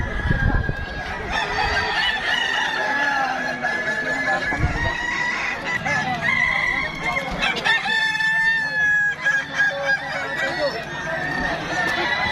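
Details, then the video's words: Crowing contest of Kukuak Balenggek chickens: long drawn-out crows with layered harmonic tones, several roosters overlapping, with clucking and people talking throughout. "ayam kukuak balenggek"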